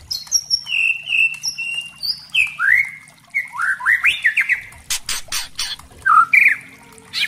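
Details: White-rumped shama (spotted 'trotol' form), song used as a lure to provoke other shamas into vigorous singing: clear whistled notes sliding downward, then rapid slurred rising-falling phrases, several sharp broadband clicks, ending with brief upward whistles.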